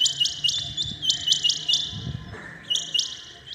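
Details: Rain quail giving its early-morning call, a steady run of bright, piercing chirps repeated roughly every quarter second, with a soft low rumble underneath.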